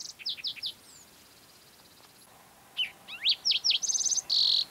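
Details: June morning on the Mesa Verde Plateau, Colorado: a green-tailed towhee sings descending slurred notes, pauses, then a rising sweep, sharp whistles, a fast trill and a loud buzzy closing note.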